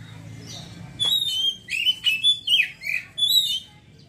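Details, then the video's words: Kacer, the Oriental magpie-robin, singing ngeriwik style and opening up at once: a run of loud, clear, slurred whistles and twisting notes separated by short gaps, with a faint low hum behind. "kacer ngeriwik langsung ngeplong seketika"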